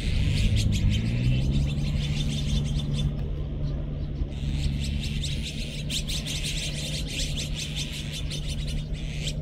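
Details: Azure-winged magpies in a boisterous flock, giving fast strings of harsh, clicky chirps about three per second, fading midway and returning stronger, over droning background rumble.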